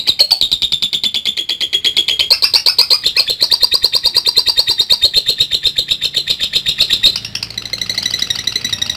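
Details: Lovebird performing a long ngekek song used for training: a continuous, very fast, piercing chatter of high rattling notes lasting over seven seconds with small jumps in pitch, then a harsher, buzzier burst at the end.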